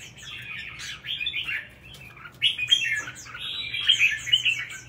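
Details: Red-whiskered bulbul, a caged bird trained for song competitions in Vietnam, singing two bursts of fluty, slurred warbling phrases separated by a short lull, with light chirps overhead.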